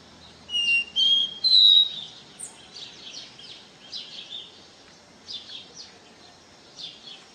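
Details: Caboclinho singing the pure "do ré mi" song style: three clear whistled notes stepping upward in pitch, followed by softer, fainter high chirps scattered through the rest.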